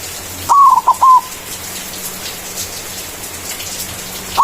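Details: Manggung song of a white zebra dove with a loud voice, used as a lure to call rivals: one phrase of a long falling coo and two short notes, then a long silence over steady hiss, and a new phrase beginning at the end.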